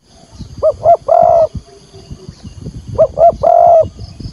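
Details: Spotted dove calling to lure wild doves into a trap, Vietnam: two identical phrases of two quick hooted notes and a long flat coo, about two seconds apart, over rustling background noise.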